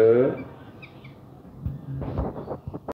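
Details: Alexandrine parakeet (Psittacula eupatria), mimicked speech.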